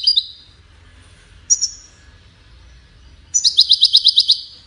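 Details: European goldfinch giving two isolated high chirps separated by silence, then a rapid, tight trill of bright repeated notes near the end.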